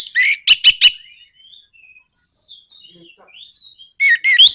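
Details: Nraktak konslet provocation song of an orange-headed thrush, meant to rouse other birds to sing. It opens with whistles and three sharp clicking rattle notes. Soft, thin descending whistles follow, and a loud burst of rising slurred notes closes the clip.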